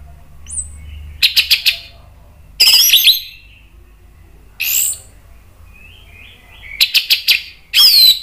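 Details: Agitated Orange-headed thrush song, a lure to make other birds sing: scattered bursts of rapid, sharp notes and harsh, high, rushing phrases, with soft, wavering whistles in the pauses.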